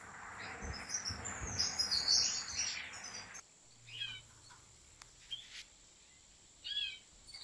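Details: European goldfinch kept in a large aviary by professional breeders: a dense, fast, high twittering run for about three seconds, then scattered bright chirps and short trills over a quieter background with a steady high whine.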